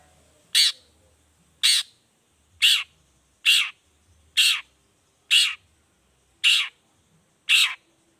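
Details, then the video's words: Long-tailed shrike (cendet) in a lure recording for prompting other shrikes to sing; a steady series of eight harsh rasping notes, roughly one per second, with little else audible. "pancingan cendet gacor toet toet variasi"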